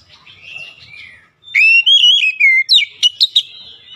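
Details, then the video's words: Magpie-robin song played as a lure to coax quiet birds into song: soft warbling at first, then a loud run of wavering whistled notes ending in four quick, sharp chips. "KICAUAN PEMIKAT KACER MACET MALAS BUNYI PASTI CEPAT GACOR NGOTOT"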